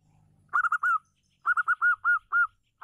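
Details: Female local zebra dove, a loud, vigorous singer kept to provoke reluctant males into singing. Three rapid clipped coos end in a drawn-out note, then a longer phrase of six coos follows, each note mellow and slightly bending.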